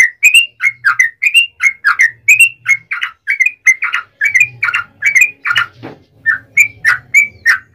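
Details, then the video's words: Yellow-vented bulbul pouring out a continuous song, meant to goad other bulbuls into replying: bright slurred whistles, roughly two per second, some rising and some falling, with a brief harsher note near the end and a low hum behind. "trucukan gacor ROPEL PANJANG pancingan trucukan agar bunyi"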